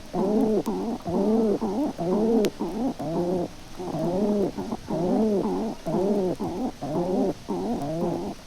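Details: Male and female Feral Pigeons conversing together at the nest, the hen giving a gruff coo: low, throaty, rolling coos repeated about once a second in a steady series with short gaps.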